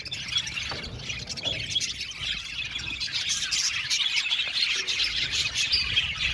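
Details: An aviary colony of budgies keeps up a busy, overlapping warble of squeaky chirps and short trills, steady throughout with a faint low rumble underneath.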